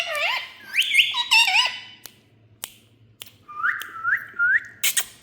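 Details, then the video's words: Indian ringneck parrot speaking: wavering squeaky speech-like phrases followed by three rising whistled notes in a row, with clicks and a faint low hum indoors. "Talking Parrot Compilation"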